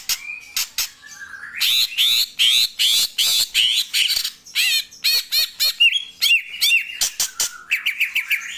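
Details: Greater green leafbird, known locally as murai daun jumbo, giving a rapid, varied run of loud high notes: sharp clicks, buzzy chattering bursts and slurred whistles, about two or three per second, with no other clear sounds.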